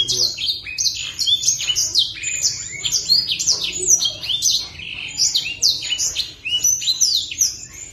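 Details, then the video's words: Sunbird known locally as blacksang, an owned master songbird in full voice, pours out a continuous stream of thin, shrill chirps and quick downslurred whistles in dense, rapid clusters with no real pause. "Master BLACKSANG Gacor"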